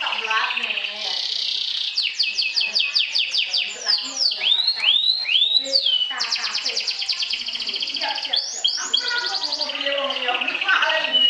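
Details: Sobek-style champion canary trilling to defeat and provoke rivals: long varied song of fast rattling trills, several looping swoops falling from high to mid pitch, then renewed high rolling trills.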